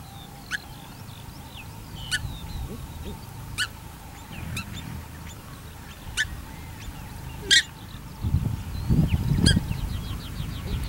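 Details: Pair of Paradise Shelducks at a corn bait station in Tawharanui Regional Park, keeping Pukeko away from the food; sharp, harmonic honking calls repeated roughly every one to two seconds, with faint background birdsong and rustling near the end.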